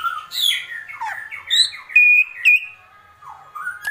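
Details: White-rumped shama singing agitated kretekan, a tumbling series of slurred whistles, two sharp piercing high notes, then softer falling and rising phrases.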